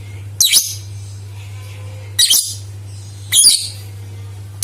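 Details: Lure recording of a lovebird meant to get others singing: sharp, piercing chatter bursts roughly once a second, each a quick harsh squeal, over a low steady hum.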